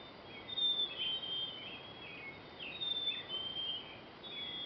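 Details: Pre-dawn birdsong among oaks: several distant birds give high, thin whistles and brief slurred phrases at irregular intervals over a constant hiss.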